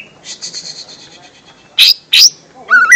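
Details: Lesser green leafbird song used as a lure sound for young birds: a faint run of quick chirps, then two sharp, loud high notes and a short rising warble at the end.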